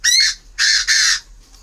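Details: Tame captive male Chinese francolin in Ba Vì, Hanoi, Vietnam, calling while waiting to be paired with a female: three loud, harsh, grating syllables, a short first note then two longer rasping ones, delivered within about a second.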